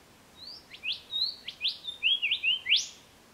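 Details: Spotted pardalote, one of a pair selecting a nest burrow on an embankment by a small creek, Ku-ring-gai Chase National Park, NSW, early September 2016: high, thin piping notes, some slurred upward, about nine in three seconds, quiet background.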